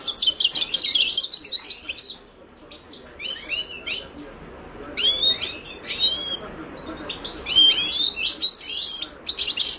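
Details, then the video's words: Himalayan goldfinch song in scattered bursts of high, fast twittering, slurred whistles and short trills, separated by a quieter stretch near the start, with faint low background noise. "تغريد حسون الهيمالايا chant de chardonneret hymalaya"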